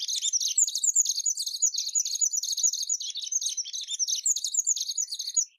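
A saffron finch sings a fast, unbroken stream of high, bright chirps and twittering notes that run on for several seconds without a pause.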